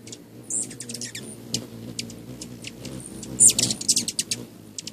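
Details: A charm of Rufous Hummingbirds being hand-fed, flying all around and whizzing past: sharp, very high chips and squeaks in quick scattered bursts, densest near the end, over a low steady hum.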